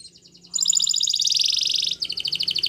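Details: Spanish Timbrado canary singing for training: faint rapid notes give way to a loud, dense metallic trill, then a slower bubbling run of pulsed notes, with a faint low hum beneath.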